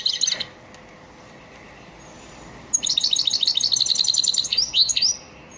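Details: European goldfinch of the elmacık type singing a lesson song for caged birds: a short twitter, a pause, then a long run of about two and a half seconds of rapid, rippling, liquid trills and tinkles.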